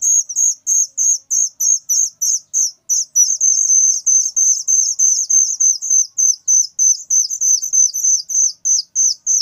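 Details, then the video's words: Whistling thrush chick calling very loudly: sharp, high chirps repeated rapidly, about three per second, each note dipping at the end, in a steady unbroken series with a quiet background. "suara anakan burung ciung Batu sangat nyaring"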